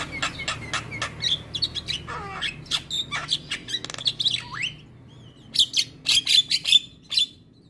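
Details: Javan myna song meant for morning playback to train mynas: scratchy chatter and squeaks, a drawn-out falling slur, then a quiet gap and a burst of sharp high whistled notes.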